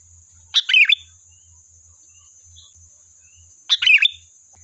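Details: Lively lure song of a sooty-headed bulbul, meant to prompt other bulbuls to reply: two rich gurgling phrases of quick descending notes about three seconds apart, with a faint high whistle between and constant hiss.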